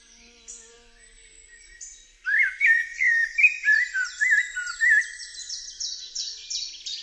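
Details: Singing Eurasian blackbird. After a quiet start, rich mellow whistled notes wander up and down, then the phrase ends in a rapid string of high, scratchy twittering elements. There is little other sound.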